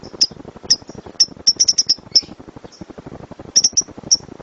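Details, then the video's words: Lovebird giving a loud 'gemuruh tembakan' rapid-fire song, kept as a master recording to train other birds: sharp, very high piercing chirps, single or in quick runs of three to five, over a steady ticking background. "LOVEBIRD SUARA GEMURUH TEMBAKAN BURUNG LOVEBIRD"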